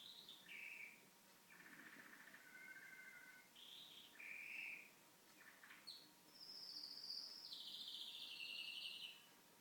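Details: A pet canary, recorded indoors while the TV was on, sings a varied run of bright whistled notes, rapid trills and buzzy rolls, shifting pitch every second or so, with a steady faint hum behind.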